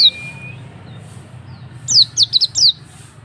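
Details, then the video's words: Oriental white-eye of the Auri type, played as a lure to prompt another white-eye to sing: a quick burst of about five thin, very high chirps, each sliding downward, over a steady low hum. "Pancingan pleci auri agar bunyi"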